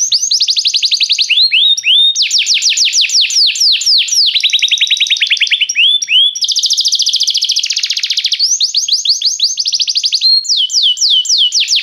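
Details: Canary singing restlessly: a continuous, loud run of rapid descending whistled sweeps and trills, high-pitched, with tours changing every second or two, including a buzzy rolling section and quick repeated notes; no other sounds.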